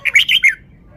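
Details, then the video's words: Short, lively phrase from a caged red-whiskered bulbul performing wild-style song: three fast, rich, warbling whistles tumbling over one another within half a second, then quiet. "นกกรงหัวจุก 1033 จ้าวมาดี สำนวนดี"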